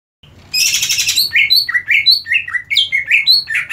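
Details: Greater green leafbird, a caged bird said to be ready for competition, opens with a dense buzzy burst, then a rapid run of bright slurred whistles falling and rising between notes, about eight per second.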